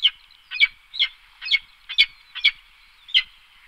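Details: Peregrine falcon uttering short, sharp chup notes in loose pairs, roughly seven bursts over under four seconds, with clipped, slightly ringing tones and irregular spacing.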